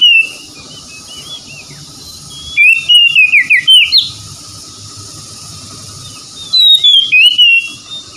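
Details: Oriental magpie-robin (kacer) song, used as therapy to restore stressed birds reluctant to sing: two bursts of loud, clear whistled notes sliding between high and mid pitch, separated by a long quiet gap with faint hiss.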